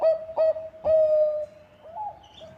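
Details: Zebra dove (perkutut, Bangkok type) cooing: two quick, soft hollow notes, then a longer steady coo and a few fainter trailing notes, all at one mellow pitch.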